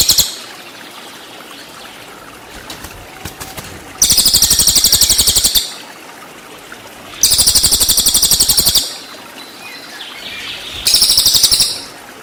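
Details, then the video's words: Cililin tutor song for white-rumped shama: three separate bursts of shrill, rapidly pulsed high trills, each one to two seconds long, with faint background hiss between them. "MASTERAN CILILIN FULL TEMBAKAN"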